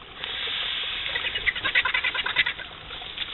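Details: Griffon vultures, a group of wild scavengers, giving harsh, rapid chattering and cackling notes in a rough irregular series over steady background noise.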